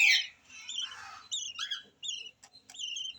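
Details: Newly hatched yellow lovebird chick: a harsh squawk opens, then a series of short, thin, wavering high squeaks with a rising-falling twist, spaced irregularly about every half second.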